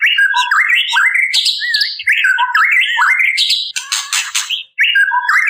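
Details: Calling female white-rumped shama: dense, loud stream of whistled slurs and rising chirps, with a harsh rasping burst near the end before the whistles resume.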